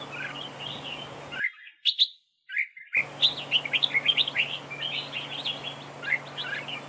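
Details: A dueling red-whiskered bulbul decoy sings a chattering stream of warbled chirps, then a sudden cut to near-silence with a few loud notes, before quick, loud whistles resume with a low hum beneath.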